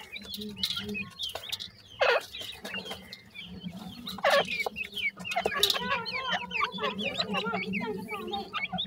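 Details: A brood of partridge chicks peeping busily, thin high notes crowding together near the end, with loud knocks and rustles breaking through at intervals.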